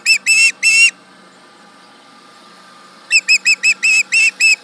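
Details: Osprey at the Charlo nest on a July 2019 morning, calling at a tractor: three long, loud whistled screams, a quiet gap of two seconds, then a quick string of about nine shrill notes.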